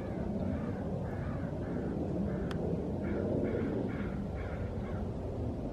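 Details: Juvenile bald eagle on the West Dyke Trail in Richmond, British Columbia, Canada, in January 2017: a faint series of short, thin piping notes repeated about every half second, over steady low wind or traffic rumble.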